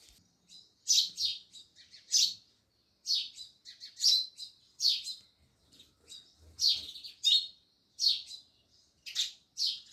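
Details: Sparrows chirping loudly: dense bursts of harsh, high chirps, often doubled or tripled, coming irregularly with short pauses, several birds overlapping at times.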